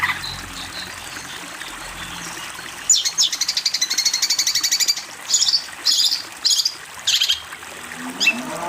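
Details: A long-tailed shrike master recording for training juveniles opens with quiet background. A sudden rapid rattle of high buzzy notes follows for about two seconds, then several separate louder harsh bursts with short pauses between them.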